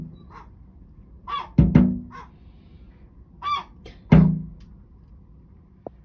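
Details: Angry gull banging on a houseboat door for food at Brighton Marina: short, harsh, nasal calls in bursts, broken by two loud, booming thuds against the door and a final sharp knock.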